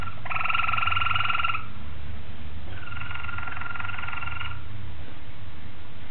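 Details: Malinois Waterslager canary recorded on 26 October 2012, delivering two long rolling trill tours, each a rapid bubbling, water-like warble lasting over a second, separated by a short pause, over low background hum.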